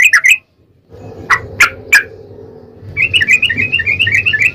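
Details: Yellow-vented bulbul in 'gacor' lure song, played to make another bulbul call back: a quick trill burst, three loud separate notes, then a long fast warbling trill over a steady low background hum.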